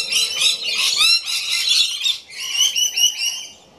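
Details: Rainbow lorikeets screeching at close range, a loud rolling burst of harsh grating squawks, a brief pause, then a second softer run of repeated screeches.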